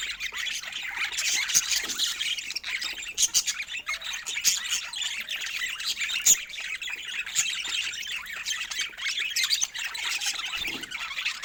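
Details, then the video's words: Several pet budgerigars playing together make a constant high, buzzy chatter of chirps, squeaks and fast warbles, with sharp clicks and a few louder squawks scattered throughout. "Adorable Budgies Playing Together"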